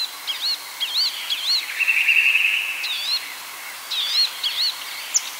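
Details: Palestine sunbird song of quick, high, chirpy up-and-down notes in bursts, with a brief buzzy twitter in the middle.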